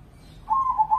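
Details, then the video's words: Crossing zebra dove, an Indonesian competition bird, starts a beaded, trilled coo after a short quiet lead-in; the phrase is cut off at the end. "Pancingan Pekutut Crossing Gacor Dorr"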